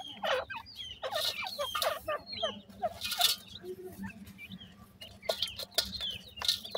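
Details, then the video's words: Grey francolin babies chirping in a busy chorus of high, thin peeps, some rising, others dropping, over repeated broadband rustles and scratches. "bhoray teetar k bachay,pheasant bird chicks ki voice,partridge babies"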